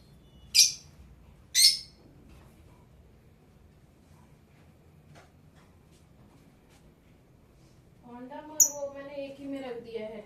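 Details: Blue Fischer's lovebird giving two sharp, high, squeaky chirps about a second apart, followed by a long quiet stretch, then people talking indoors with one more brief chirp over the speech.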